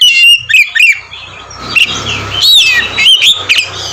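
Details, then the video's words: Oriental magpie-robin singing ngeplong to provoke other magpie-robins; a few clear whistled notes and chirps over a steady low hum and background noise. "kacer ngeplong gacor mancing emosi kacer lain cocok buat pancingan"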